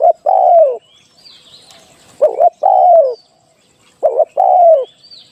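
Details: Spotted dove cooing as a decoy for trapping, three phrases each made of a clipped two-note stutter and a longer mellow coo that sinks in pitch, about two seconds apart, faint bird chirps above.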